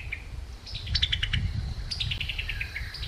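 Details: Summer tanager in summer giving its chuckling call note: a quick run of sharp, high notes that step downward, heard twice over a low rumble of background noise.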